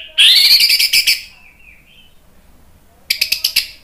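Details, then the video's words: An orange-headed thrush gives a loud, harsh, rapidly repeated burst of scratchy high notes, a pause, then a second short chattering phrase. "PANCINGAN ANIS MERAH biar EMOSI jadi NYAUT BUNYI GACOR NGEPLONG"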